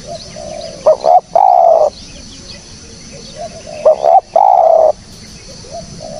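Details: Spotted dove call, a clean clear recording meant as a lure for bird trapping: two cooing phrases about three seconds apart, each two short throaty coos then a longer drawn-out coo, over faint low background hum.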